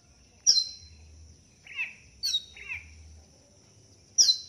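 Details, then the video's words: Cililin singing lively and strongly: sharp high downward-slurred chirps alternate with lower buzzy notes, five notes in about four seconds, over a steady faint high tone. "cililin gacor dor atas bawa nembak terus"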